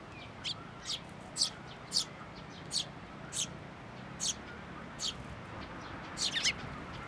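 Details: Parent sparrow turned fierce after coming for food, Tenmangu shrine, 16 May 2024: high, bright chirps about every half second, ending in a quick tumbling double burst, over a soft low hum.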